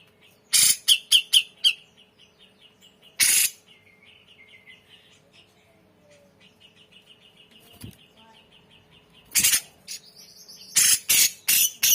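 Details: Full, busy grey-cheeked bulbul singing meant to provoke magpie-robins and shamas: bursts of harsh rasps and rapid bright chip series, separated by stretches of softer, faint high twittering.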